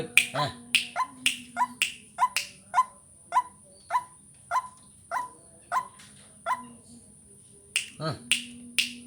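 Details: White-breasted waterhen call used to lure birds: short, harsh, nasal notes repeated about every half second, roughly fifteen in nine seconds, some louder and rasping, over a steady high electronic whine and low hum.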